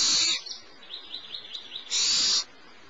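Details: Barn owl owlet, the littlest, fed by the female at Starr Ranch at about 10:30 am on 6 March 2011; a loud, noisy screech, a run of soft high chittering notes, then a second harsh hissing screech.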